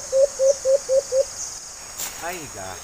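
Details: White-eared brown dove (alimokon) during a hunt giving five short low hoots with a slight upward lift, spaced about a quarter-second apart, followed by a man speaking.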